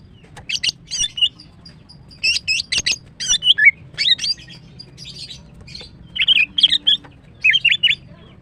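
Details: Female greater green leafbird singing in the morning: a lively run of varied chirps, twisted whistles and sharp notes in grouped bursts, some trilled, continuing steadily with brief gaps.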